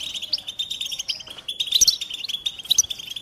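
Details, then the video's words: European goldfinch singing a rapid, tinkling run of high twittered notes, with brighter sharp chirps breaking through near the middle and end. "Goldfinch motivating songs"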